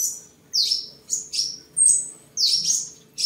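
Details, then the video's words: Sunbird singing, displaying and sparring, recorded 23 July 2022 in Vietnam: rapid, very high sibilant chirps and one drawn-out thin whistle, delivered in quick spaced bursts over a low constant hum. "Chim Hút Mật 7 Màu Thuần Ngày 23/7/2022 Hót, Múa, Đấu Đá"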